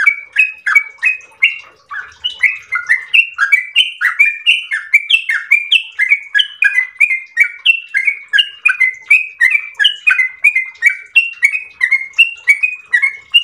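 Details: Yellow-vented bulbul pouring out a long ropel song: dense, fast bubbling phrases that rise and fall, tumbling together with hardly any gaps for more than thirteen seconds.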